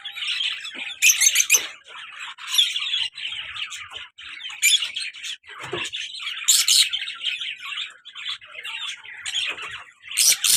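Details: A pair of pet lovebirds, colour male and black-masked female, keeps up continuous shrill chatter broken by loud harsh squawks at irregular intervals.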